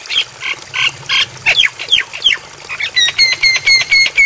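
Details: Javan myna training song to be imitated by caged birds at night: raspy squawks, then sharp downslurred whistles, ending in a quick regular series of ringing clipped notes.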